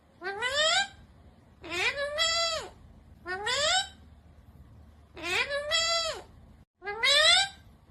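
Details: Green ringneck parrot talking, giving five separate speech-like, harmonic utterances about one to one and a half seconds apart, some short and rising, others drawn out and arching, over a low steady hum.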